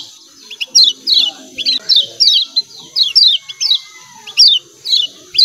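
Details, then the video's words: Lemon-bellied white-eye (kecial kuning) from Lombok uttering rapid "ciak ciak" calls, a fast series of high, downward-slurred chirps in pairs and triplets, nearly continuous over several seconds, with a faint longer whistle underneath and steady hiss. "CIAK CIAK KECIAL KUNING"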